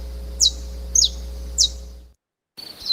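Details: Saffron finch (Sicalis flaveola) song: three sharp, high chirps, each sliding quickly downward, come about every 0.6 seconds, then after a short silence a brief higher phrase, over a low steady electrical hum.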